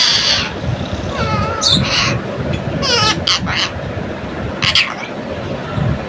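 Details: A pet green rose-ringed parakeet that talks chatters in warbling, wavering phrases and short harsh bursts, like mimicked Urdu words and its own name, over a steady low background rumble; it also mimics a ringing tone.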